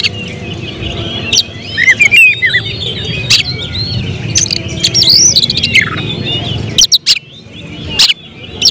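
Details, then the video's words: Oriental magpie-robin, a contest prospect, whose song turns into rapid bursts at tense moments: clear whistled slurs, rising and falling, come between sharp clicking notes, with a low background hum throughout. "Emosi berubah menjadi tembakan di menit menit genting, Kacer bakalan prospek lomba"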